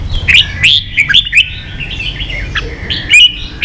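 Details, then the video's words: Red-whiskered bulbul giving a busy, chattering song of bright, liquid whistled notes that rise and fall in quick bursts, with brief harsh clicks between phrases. "luyện chào mào ché.kích chào nào hót ché căng lửa"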